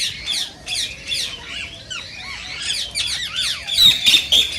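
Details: High, chattering squawks and short curved whistles from a rose-ringed parakeet, aimed at triggering singing and mating; notes tumble irregularly, growing louder toward the end.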